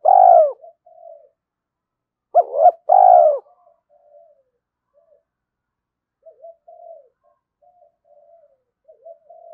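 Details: Spotted dove at sunrise, cooing to incite fighting and lure. Loud two-part coo phrases about every two and a half seconds, each ending in a long drawn note, followed by faint low murmurs.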